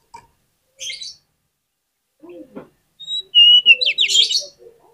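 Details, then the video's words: Kacer, the oriental magpie-robin, as a lure for other magpie-robins: a brief scratchy twitter, a pause, then a clear whistle leading into a short loud burst of rapid warbling notes. "PANCINGAN KACER ANTI GAGAL !! KACER APAPUN DI JAMIN LANGSUNG NGOBRA ON NGUNCI"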